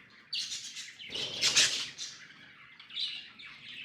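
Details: Pet budgies chattering in a high, scratchy warble, bursts of rapid chirps and squeaks with a loud peak midway, over faint background rumble.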